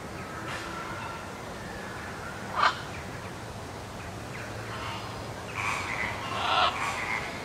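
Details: Blue-and-yellow macaw, with a macaw hybrid, at Wuppertal Zoo gives a brief harsh squawk, then a cluster of rough, raspy calls a few seconds later, over a steady hiss of background noise.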